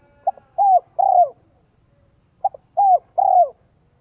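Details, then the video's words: Decoy spotted dove from Vietnam with a 'giọng son 1 cốt lỡ' voice, cooing to draw in wild doves: two phrases, each a short stuttered note leading into two longer low downslurred coos. "CHIM CU GÁY GIỌNG SON 1 CỐT LỠ KÍCH BỔI NHANH NỔI HIỆU QUẢ NHẤT"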